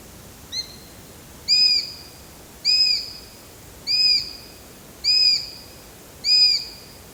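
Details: ['Eurasian sparrowhawk: one brief soft note, then five loud, high, arching whistles evenly spaced about every 1.2 seconds.']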